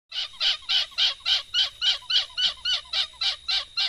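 A hornbill gives a steady run of harsh, nasal honking notes, about three or four each second, evenly spaced and loud throughout.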